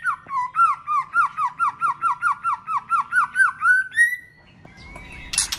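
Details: White-rumped shama in fighting song meant to excite other shamas: about fourteen identical rising-then-falling whistled notes repeated rapidly and evenly, then a long upward-sliding whistle and a burst of harsh noise.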